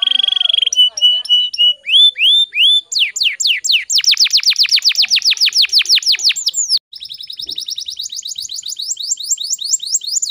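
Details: Gacor canary delivering speed rapat song meant for tutoring other birds: steady whistled tones and short chips give way to quick tours of sweeping syllables, a momentary break, then a fine rapid high trill.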